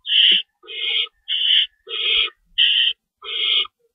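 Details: Owl at the nest at feeding time, 3:53 AM on March 25, 2012, with two rabbits stored and an adult staying in to shred food; harsh, hissing bursts about half a second long, repeated six times with short gaps.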